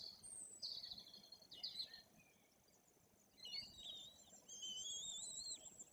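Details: Being fed by their parents, white-tailed eagle chicks nearing three weeks old at a nest in Bory Tucholskie, Poland, give soft high squeals, then longer wavering whistled piping notes over faint steady hiss.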